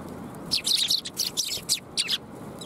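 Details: Lively sparrows chattering at a Tenmangu shrine one January 2022 afternoon, a dense burst of sharp high chirps bunched in two or three clusters, with low background murmur.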